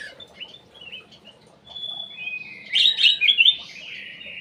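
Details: Aviary-kept ruby-throated bulbul (cucak emas) singing as a lure: soft scattered chirps and a held whistle, then a loud rich burst of rapid bubbling whistled notes.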